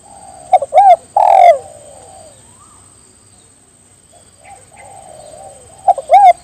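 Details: Spotted dove calling other birds to join in, giving a full phrase of two clipped notes, an arched coo and a long falling coo, then quiet soft murmurs before the next phrase begins. A thin high tone hums throughout.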